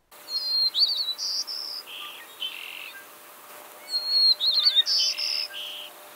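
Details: White-crowned Sparrow singing twice in spring, central/eastern United States: a clear opening whistle, a jumbled twittering middle, then lower buzzy notes or trill to finish.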